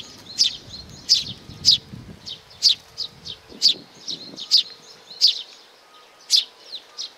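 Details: A group of sparrows coming for food on 15 May 2019: loud, high, piercing chirps roughly every half second to second, with soft rustling and low murmurs early on.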